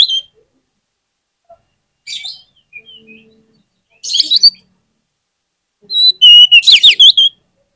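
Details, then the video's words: Oriental magpie-robin song used to coax other magpie-robins into singing. Scattered scratchy bursts and soft notes build to a loud rich phrase of high whistles and rapid sweeping, buzzy notes. "PANCINGAN KACER ANTI GAGAL !! KACER APAPUN DI JAMIN LANGSUNG NGOBRA ON NGUNCI"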